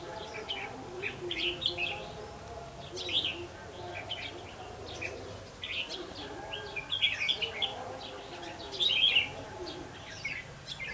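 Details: Red-whiskered bulbul used as a decoy for trapping, recorded 8 October 2016: bright, chattering whistled phrases in bursts roughly every one to two seconds, loudest near the end, over a low steady hum and faint voices.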